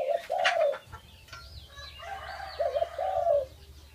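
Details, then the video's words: Pet dove cooing amid background noise: a low wavering coo at the start, then a short double note and a long falling coo, with high chirps of other birds and a steady low hum throughout. "An Awesome Dove Sound"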